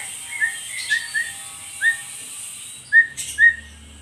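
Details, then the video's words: Captive Asian pied starling in lively chattering mood, said to be begging for coffee, gives clear short whistled notes, some rising, spaced irregularly with a quiet gap before a final loud pair. "GACORNYA BURUNG JALAK SUREN MINTA KOPI"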